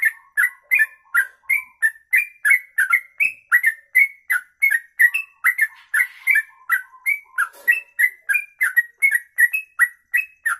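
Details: Extended 'kongslet ropelan' song of a sooty-headed bulbul, for tutoring songbirds: long, steady stream of rich whistled notes, around three a second, with a brief rustle partway through.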